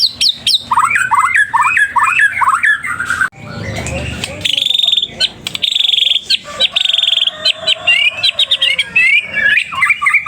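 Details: White-rumped shama in full song, seeking a rival: a run of fast, rising slurred whistles, a noisy break, then a long sustained high note followed by varied chattering phrases.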